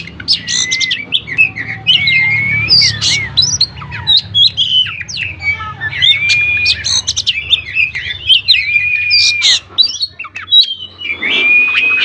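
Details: Singing white-rumped shama, used to draw song from other shamas: repeated phrases of sharp chirps ending in long, level whistled notes, with fast twitters and clicks between them; faint voices in the background.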